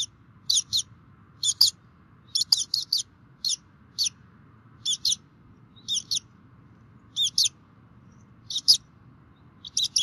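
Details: Bald eagles feeding at their nest on a Minnesota DNR webcam, 2016, 11:48, both parents present; shrill chirps in pairs and short runs recur every second or so for ten seconds, with a few faint clicks.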